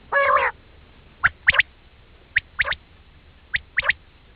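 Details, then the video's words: Quail calling as a hunting lure in Pakistan: a short harsh nasal note opens, followed by three evenly spaced sets of sharp, clipped double and triple notes about a second apart. "quail sound effect"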